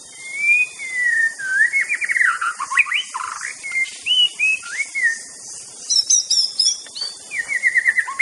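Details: White-rumped shama of Aceh in master song: flowing whistled phrases with rapid warbled runs, swooping notes and a high tinkling passage, then fast repeated notes, with a steady hiss behind.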